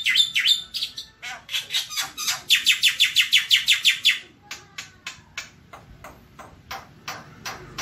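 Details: A home breeder's masteran recording of a Javan white starling: scratchy chatter, then a fast series of around fifteen buzzy whistled notes, fading into spaced clicking sounds.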